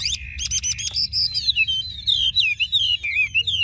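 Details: Chinese hwamei, large-bodied, offered by a bird trader in Vietnam, pours out a fast, high chattering trill. This turns into a steady string of looping, ringing whistles.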